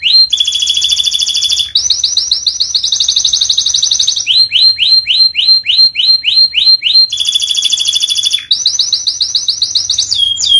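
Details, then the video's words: Canary song on a training recording meant for silent birds: alternating sections of loud buzzy rattles, fast high trills and runs of rising whistled notes, with the buzzy rattle returning near the end. "MASTERAN KENARI 002 Cocok untung burung macet BUNYI"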